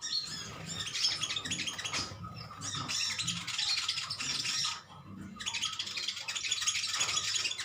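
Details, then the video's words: A colony of metallic greenish sunbirds chirping against each other: long stretches of dense, hissy high twittering broken by two brief lulls. "Koloni burung konin metalik ijoan saling adu nyrecet"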